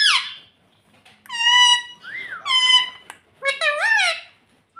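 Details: Talking pet parrot saying "mummy": falling squawk, then flat nasal harmonic syllables alternating with a gliding whistle, ending in a buzzy wavering phrase indoors.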